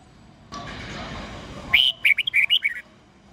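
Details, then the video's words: Red-whiskered bulbul morning song, old-forest voice with 8 to 10 notes, for training young birds: a hiss of background noise, then a sharp whistle and a rapid chain of bright chirps. "Luyện chào mào hót sáng GIỌNG GIÀ RỪNG âm 8-9-10 cực chuẩn"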